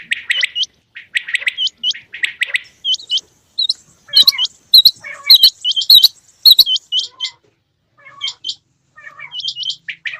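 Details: Male and female quail in rain: dense bursts of short, high chirps, many ending in sharp upward hooks, tumbling over one another from several birds, with brief gaps near the end.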